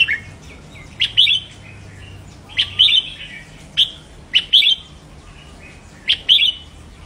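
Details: Red-whiskered bulbul song played to stimulate caged birds: short bright phrases of clear whistled and slurred notes around upper-middle pitch, in bursts roughly every one and a half seconds, with a quiet background.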